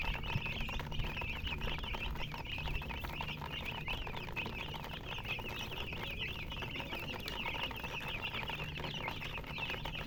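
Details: Chicks give a steady chorus of shrill short peeps, unbroken for the whole stretch, against a constant low hum.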